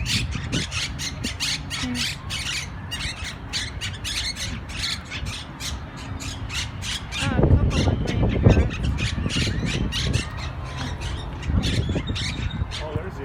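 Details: Noisy flock of green parrots calling from a tree at Barton Springs, Austin, on 27 December 2018, louder than nearby grackles; harsh squawks repeat rapidly and overlap throughout, with a louder burst midway, low rumbling background noise and a brief human voice.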